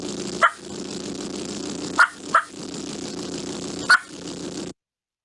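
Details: Wild Turkey clucks, a general communication and reassurance sound, for example when a hen sees a gobbler, letting others know it is there and approaching. It gives four short, sharp clucks, irregularly spaced over about four seconds, against a steady hiss.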